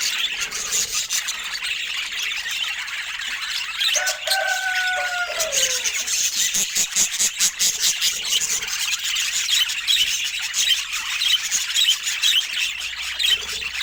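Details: Pet budgies chatter continuously with high chirps and twittering, while a lower sliding whistle rises and falls midway through.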